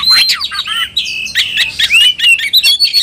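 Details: Agitated Oriental magpie-robin, stirred up to fight, delivering a dense loud medley of whistles, sweeps, buzzy notes and chattering phrases with hardly a pause.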